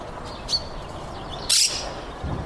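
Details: A monk parakeet perched on a fig tree at Baselga del Bondone, Italy, 7 April 2014, gives two harsh, screechy notes, a short one then a longer, louder squawk, over a faint outdoor hum.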